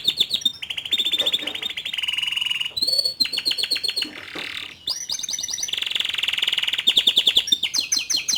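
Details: Young male Atlantic canary singing to stir a juvenile canary into singing: dense rapid trills and rolling tours mostly in a high band, with buzzy stretches, sharp repeated chips and short pauses between phrases.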